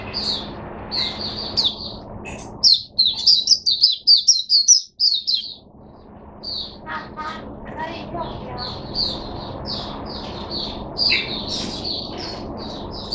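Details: Singing cage-kept Oriental white-eye recorded 5 May 2022, long stretches of high rapid twitters and slurred whistles, a loud energetic burst mid-way, then a brief lull before more twittering; a low hum and some clicks beneath.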